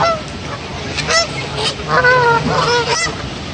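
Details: Goose showing aggression toward other geese: harsh, nasal honks with strong harmonics, a short burst near one second then a loud sequence of several honks from two to three seconds, over a low background rumble.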